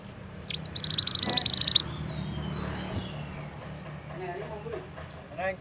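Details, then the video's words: Young scarlet minivet from the forest singing actively: a quick burst of about a dozen high, sharp chirps in a little over a second, then faint thinner notes against low rumbling background noise. "burung mantenan gacor muda hutan"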